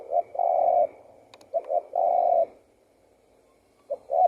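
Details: Spotted dove singing repeated coo phrases, short notes and long flat coos, with a brief click in the middle and another phrase starting at the end.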